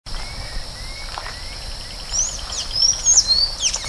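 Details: Golden-chevroned Tanager (Thraupis ornata) song: thin, high squeaky slurred notes come in a quick burst in the second half, over a steady high insect-like hum and faint lower whistles.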